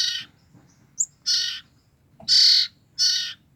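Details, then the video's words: Young common ioras, sibling nestlings only two weeks old, used as lures for the parents: four coarse, buzzy rasps at uneven intervals, with a couple of short high chirps between them. "BURUNG CIPOH KAKA BERADIK INI EMNG LUAR BIASA BRU 2 MNGG DAH BERBUNYI"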